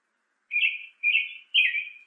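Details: Northern cardinal, for training caged birds to sing: three short, slightly buzzy whistled notes of steady pitch, evenly spaced about half a second apart, in a quiet background.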